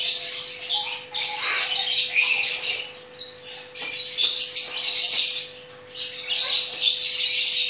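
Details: Mating chattering lory with grating screeches in irregular bursts. Quieter gaps and a few clicking sounds fall in between, over a faint steady hum.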